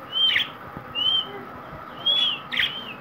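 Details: Pet green parrot giving four short, clear whistled calls, each a thin note held briefly, spaced unevenly over a few seconds against a steady low hum.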